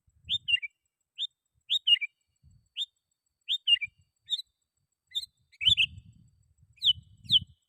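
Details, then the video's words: Sooty-headed bulbul calling rivals as a lure for wild bulbuls: clear whistled notes and slurred doublets at a steady pace, with low thumping handling noise underneath toward the end. "Suara Burung KUTILANG GACOR Ampuh 100% Bikin Kutilang Lain Ikut Bunyi"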